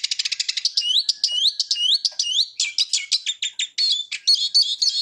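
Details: Eurasian siskin song: a rapid twittering run of short chirps, then repeated rising whistled notes and sliding phrases, ending in dense scratchy trills, all high-pitched with no other sounds.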